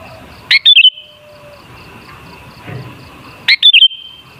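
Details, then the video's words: Sooty-headed bulbul, recorded as a lure to make bulbuls sing, gives two short bubbly whistled phrases three seconds apart, each a quick dip and rise, over quiet steady background hiss. "Suara Burung Kutilang Sangat Ampuh Untuk Pancingan Jadikan Kutilang Ngamuk Gacor"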